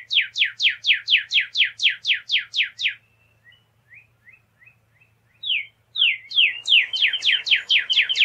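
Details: Northern cardinal delivering rapid, sharply downslurred whistles about four per second, then a soft stretch of faint short notes, followed by another loud burst of steep descending slurs over a hiss.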